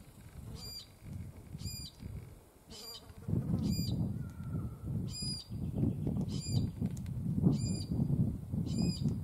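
Glossy black cockatoo giving short, wheezy, nasal calls, repeated about once a second, over a steady low rumble of wind or handling noise.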